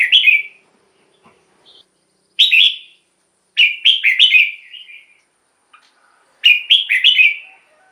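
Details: Red-whiskered bulbul used as a decoy for wild birds and to excite caged birds: bright whistled notes and repeated four-note warbling phrases, each phrase rising then dropping.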